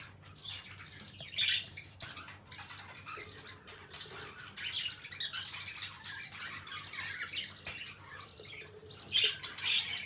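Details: Pair of pet lovebirds chattering together: a steady bed of thin, scratchy twitters with louder shrill squawks standing out near the start, in the middle and at the end.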